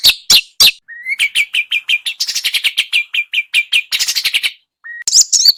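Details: Small birds singing, offered as training song for a white-rumped shama: loud sharp high chirps, then a fast series of clipped whistled notes repeating several times a second, broken by a brief pause and further bright chips.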